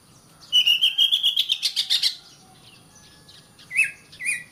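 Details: Oriental magpie-robin singing, used to teach caged birds: a rapid trill over a steady rising whistle for about a second and a half, then two short upslurred whistles after a pause.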